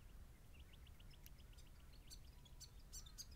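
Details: A juvenile grey fantail, recorded 10 October 2012, gives faint, thin, squeaky chips in a quick run, then sharper high ticks, over a steady low rumble of background noise.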